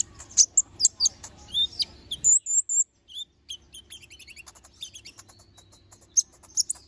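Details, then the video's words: Little spiderhunter in lively song with sharp fill-in phrases: loud high chips and slurred squeaks, a thin drawn-out whistle, then a run of soft quick ticking notes. "Masteran Suara Burung Konin Gacor Bongkar Isian Suara Tajam"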